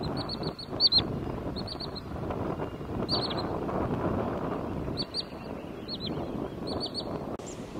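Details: Wood sandpiper at the lakes of Avenida Ayrton Senna, Quinta do Lago, Loulé, Algarve, Portugal, 27 April 2022: high, sharp whistled notes in quick groups of two to four, repeated about every second, over a steady low rumble.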